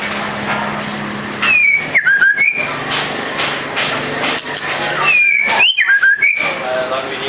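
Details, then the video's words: White-feathered white-rumped shama singing two short clear whistled phrases, each sliding up and down between higher and lower notes, about four seconds apart, over steady broadband background hiss and faint low hum. "White Feathered Sharma"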